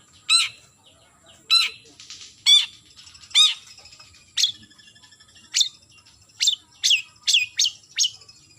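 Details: Long-tailed shrike calling a rival, alternating harsh rasping notes with sharp descending whistled chips that quicken toward the end.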